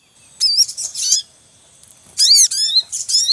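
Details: Noisy Javan munia family in the wild, male calling near the nest with chicks: two loud bursts of harsh, high, rapid chattering chirps separated by a brief lull.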